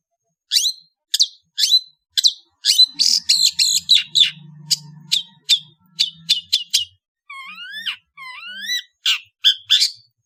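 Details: Long-tailed bird from Indonesia in afternoon song: sharp, high chips that build into a dense scratchy run, then a series of rising, upward-swept whistled notes and more sharp chirps, with a faint low hum underneath.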